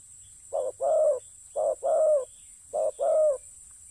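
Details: Calling spotted dove near the ground giving three rhythmic pairs of coos, short then long and mellow, spaced about a second apart, with a continuous shrill insect buzz in the background.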